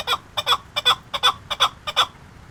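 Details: Chukar partridge recorded at Qubodiyon: paired clucking notes, chuk-chuk, repeated six times in under three seconds, each pair rough and bright.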